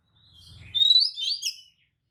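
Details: Oriental magpie-robin (kacer) spreading its tail, singing a lure song meant to provoke other magpie-robins into answering; a short burst of high, sweet warbled phrases lasting about a second, preceded by a faint low rumble.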